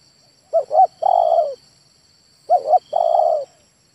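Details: Male spotted dove cooing: two short, rounded coos run together, then a longer, slightly falling, purring coo. The phrase comes twice, about two seconds apart, over a faint steady high hum.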